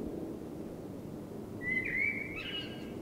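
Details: Common blackbird singing at night during spring; after a quiet stretch of low background rumble, a single short fluty whistled phrase rises and ends in a soft twitter.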